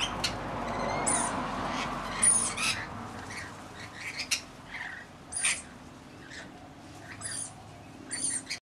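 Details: A flock of about 40 Rainbow Lorikeets looking after a single baby gives harsh, screechy squawks in short, irregular bursts, some loud and piercing, over a low background murmur.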